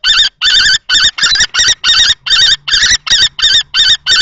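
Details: Adult male common kestrel confronts a younger male at a nest box in Théding, 20 March 2024. Shrill, rasping notes tumble out quickly and irregularly, over a faint low hum.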